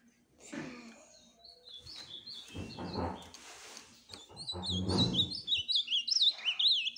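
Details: Ultramarine grosbeak singing: high whistled phrases that rise and fall in quick succession, growing louder toward the end, with dull low thumps and noise in the middle.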